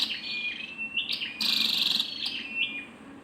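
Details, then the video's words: Female scarlet-backed flowerpecker giving one loud rasping high burst between short twittering chips, with a thin steady high tone running throughout. "Tiếng chim sâu đầu đỏ mái"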